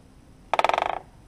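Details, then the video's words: Great spotted woodpecker drumming on a tree trunk in the middle of winter. One quick, crisp roll of about a dozen strikes lasting half a second, the blows fading slightly toward the end, against a quiet background. "The great spotted woodpecker is drumming."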